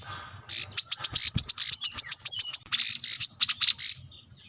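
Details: Energetic plain-throated sunbird seeking an opponent gives a fast string of sharp, high-pitched chips, roughly fifteen in a row, then a short break and a second quicker burst.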